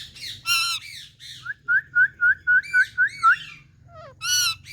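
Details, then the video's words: A talking Indian parrot: harsh squawks with stacked harmonics, then a quick run of eight short rising chirps about a quarter second apart, a brief falling note, and a final loud squawk, over a low steady hum. "Indian Parrot🌶 Talking To Patlu Parrot"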